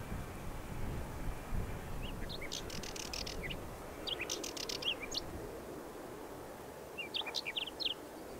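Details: Whinchat song heard at some distance: three short, thin scratchy twittering phrases with gaps between them, partly masked by broad low outdoor rumble and wind-like noise.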